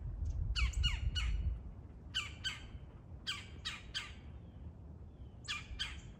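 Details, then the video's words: Harsh, descending squawks from wild woodpeckers in a territorial fight, delivered in clusters of two or three notes about every second, with low rumbling noise beneath. "Woodpeckers fighting for territory"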